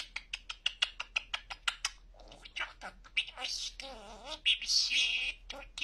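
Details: Pet budgerigar known for clear talking gives a fast series of sharp, even ticking clicks. These are followed by warbled, buzzy chatter and high squeaky word-like phrases.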